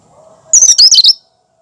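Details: Natural cucak kinoi song, free of imitated phrases, meant for prompting and luring birds: one quick burst of bright, high, tumbling chirps lasting about half a second, with a faint low hum before it.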